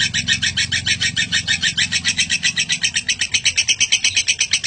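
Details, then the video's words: A lovebird gives a long, unbroken chatter of over a minute, used to train other birds: shrill, buzzy notes, about six or seven a second, with a faint low hum underneath. "Lovebird ngekek panjang"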